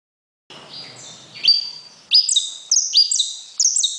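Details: Saffron finch singing after a faint start: from about one and a half seconds, high, bright notes that slide downward, each repeated in quick short bursts in a clean, quiet setting.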